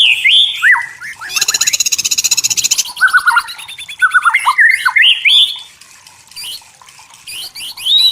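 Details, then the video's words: White-rumped shama singing in forest: whistled downslurs, then a dense rapid buzzy rattle for over a second, followed by sharp descending notes and scattered high chirps. "Suara Murai Batu Hutan Jernih Alami Jernih Shama bird"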